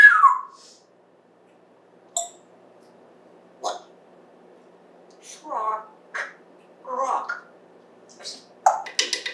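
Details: African grey parrot, a household pet since December 2020, chattering indoors on September 14, 2024: scattered short speech-like syllables and clicks separated by quiet gaps, a quick burst of mumbled words at the close.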